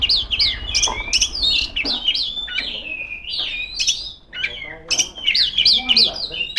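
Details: Female Oriental magpie-robin singing loudly and continuously to call rivals: rapid, varied whistled and chattering phrases, sliding up and down, with sharp repeated notes and a brief pause midway.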